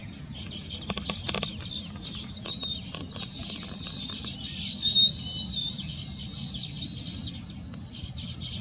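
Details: Baya weaver (Ploceus philippinus philippinus) at the start of nest building: fluttering wingbeats and scattered ticks first, then a swelling high buzzy chatter with brief thin whistles that fades out, steady low background rumble throughout.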